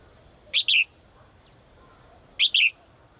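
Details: A female bird calls for the male with doubled high chirps, repeated after about two seconds, with a faint hum in the background.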